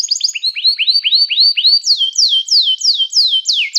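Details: Canary song used to train canaries, calling other canaries to sing: high arched whistled notes repeated about three times a second, shifting midway into lower, faster downslurred sweeps, clean with no other sounds.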